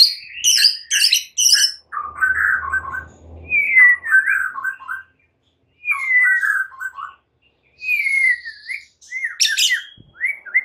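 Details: White-rumped shama (murai batu) in the morning, a young bird learning to fight, used as a lure: harsh chattering bursts, then rich, slurred whistled phrases swooping down and up, faint low rumble beneath.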